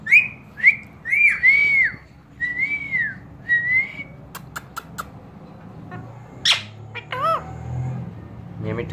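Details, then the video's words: A pet talking parrot, described as dancing, gives a run of clear, arched whistles, each rising then falling, followed by sharp clicks and a brief squawky whistle. "My talking parrot dancing mitu mitu wistling"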